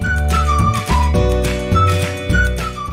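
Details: Flute-led folk music with a steady low drone plays throughout, with no animal voice heard.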